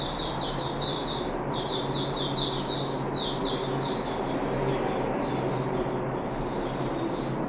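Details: Puff-backed bulbul held in a cage on the third day of deworming, 14 July 2021: a long sequence of rapid, high, falling chirps over a steady background hiss.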